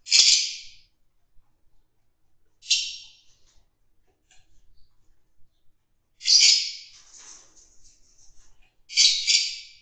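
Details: Fischer's lovebirds in a breeding colony, mating in a group, give harsh, shrill screeches in short bursts every few seconds, with soft chattering in between.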